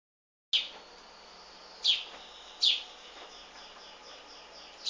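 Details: Wild bird chicks being fed by their mother: sharp, high chirps that come at irregular intervals of about a second, over a steady background hiss.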